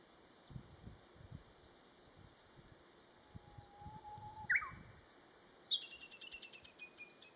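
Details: Japanese bush warbler song phrase: a long low whistle ending in a sharp flourish, followed by a fast descending run of repeated high ticking notes, with low rumbling noise underneath.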